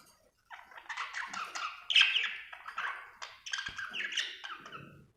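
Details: Happy budgie chirping indoors: a busy, scratchy warble of mixed chirps and squawky notes. Quiet at first, it grows after half a second into steady chatter with a louder burst near two seconds.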